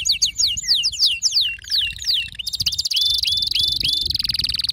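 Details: Excited male canary singing, a song meant to prompt other canaries to sing: fast descending whistled slurs repeated in a run, then a dense high buzzy trill with rising upslurred notes over it.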